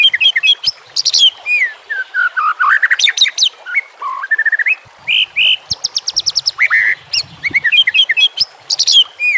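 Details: White-rumped shama song recorded as a training master, set with nature sounds and trickling water: loud, fast-changing phrases of clear whistles, sweeping slurs and rapid chip bursts, high and varied, with barely a pause.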